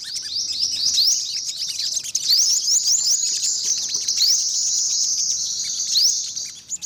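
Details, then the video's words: Olive-backed sunbird with a dense, buzzy, very high trill running almost without pause, punctuated by several quick upward-sliding notes. "tiếng chim hút mật 5 màu bụng vàng"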